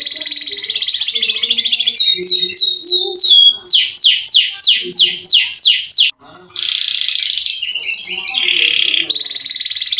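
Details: Canary singing a long roll to spur silent canaries: a steady buzzy trill, looping slurred notes, a run of loud descending whistles about twice a second, then more dense rattling rolls.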